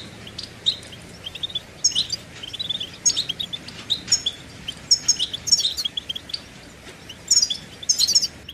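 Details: Goldfinch singing: scattered phrases of high, metallic chirps and brief trills, set against a noisy, hissing background.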